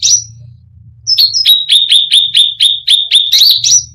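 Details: Cucak rante singing a provoking full song: a quick string of about ten sharp, evenly repeated high chips ending in a swooping whistle, with a faint low hum in the background.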